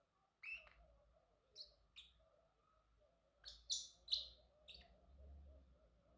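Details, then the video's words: Pet male Pacific parrotlet giving scattered short, high chirps, first singly with long gaps, then a quicker cluster of sharp notes, over a steady low household hum. "Parrotlet Talking ✨️ Cute Funny Sounds"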